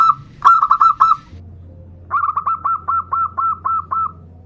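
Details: Zebra dove, bodronoyo type, singing as a lure bird: a quick run of bright, clipped coo notes, then a brief pause and a longer, slower string of about ten mellow repeated notes over a faint low hum.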